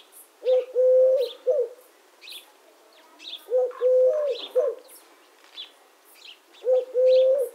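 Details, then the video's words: Repeated soft triple coos of a Eurasian collared dove (Streptopelia decaocto), three phrases roughly every three seconds, accompanied by frequent high twittering of other birds. "The sound of the Collared Dove - Dove Sounds"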